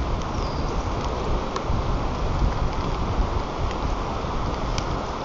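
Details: Steady rain patters and rumbles throughout with a few faint ticks, and no animal call stands out.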